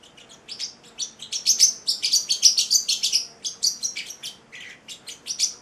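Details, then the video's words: Singing young male Celestial parrotlet, eight weeks old, kept as a pet: dense run of loud, high, squeaky chirps, several per second, swelling in the middle and easing toward the end. "the Singing Parrotlet"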